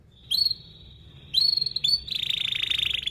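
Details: Canary lure song for young canaries: thin level whistles at intervals, then a fast, buzzy, rolling trill held to the end.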